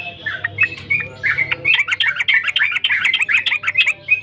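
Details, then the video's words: Sooty-headed bulbul in full song, a lively run of short bubbly chirps and slurred whistled notes packed closely together, quickening after a hesitant start; a faint low hum underneath. "Burung Trucukan Gacor"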